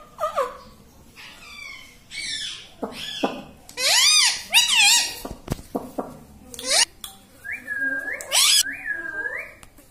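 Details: A pet rose-ringed parakeet called Mitthu talks in short, squeaky, speech-like phrases with arching pitch, then gives a few rising whistles near the end; it is said to say "mummy", "papa" and "mitthu".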